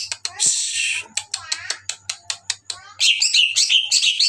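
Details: Greater green leafbird singing actively at night: a varied run of harsh buzzy bursts and short sharp chips, then a dense burst of high twittering notes, over a faint low electrical hum.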